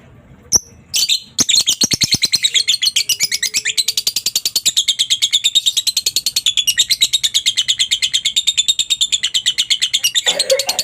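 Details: Lovebird long ngekek chatter, played to get other lovebirds answering: a couple of isolated chirps and a faint whistle, then a sustained fast rattle of high, harsh notes running to the end.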